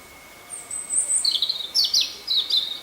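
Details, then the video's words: European robin (Erithacus rubecula) singing in a Bordeaux riverside park: a high, thin warbling phrase, a drawn-out whistle followed by quick tumbling trills and twittering notes, with a faint steady hum behind. "Alors l'oiseau que vous entendez chanter, c'est un rouge-gorge familier."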